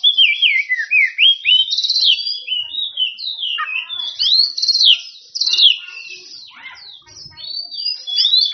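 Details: Oriental magpie-robin in loud, full-volume song calling out rivals: a rapid stream of varied clear whistles, sliding notes and short buzzy trills, dipping and rising between mid and high pitch, with brief gaps.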